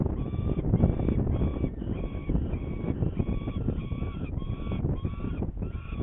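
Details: Hungarian saker falcons, 21 May 2019 at 11:30, around prey delivery while seemingly not hungry; strident harmonic calls, about two per second, run continuously above a droning low background.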